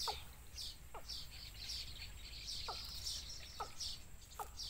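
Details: Wild chicks in a nest pestering their mother for food: clusters of piercing high chirps repeated every second or so, alternating with brief sliding downward notes over soft outdoor background noise.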